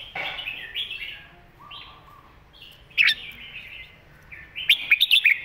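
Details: Red-whiskered bulbul master song for teaching young birds: soft warbled phrases, one sharp loud note near three seconds, then a closing run of five rapid, ringing whistles.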